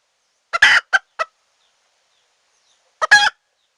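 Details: Red junglefowl hen call used as a trapping lure for wild birds: a rasping drawn-out cluck followed by two short clipped clucks, then after a pause another harsh double burst, in a silent background.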